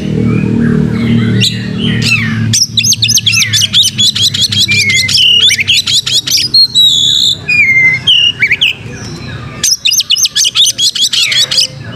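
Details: Kacer, Oriental magpie-robin, singing gacor with fanned tail for pancing: long trilling bursts of rapid high notes broken by looping whistles, several phrases over twelve seconds, with a low rumble at the start.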